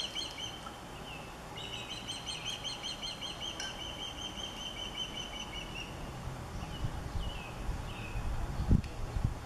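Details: Nesting mother osprey calling out at an intruding third osprey: a long, rapid run of high, piping chirps strung together for several seconds, then a few separate slurred whistles, with wind-like background noise.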